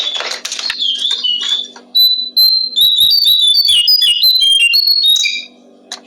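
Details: Songbird-training recording of a Brown-streaked flycatcher. A noisy burst opens, followed by a dense string of piercing high whistles and quick chirps delivered in rapid succession, with a faint low hum in the background.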